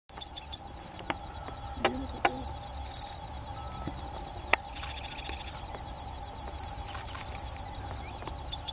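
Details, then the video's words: Sedge Wren (Cistothorus platensis) heard while birdwatching at Fazenda Lagoa do Coração, Rio Pardo, Rio Grande do Sul, Brazil: high thin chips open into a brief dry buzz, then a quick rattling trill and sharp notes over insect drone. "Cistothorus platensis"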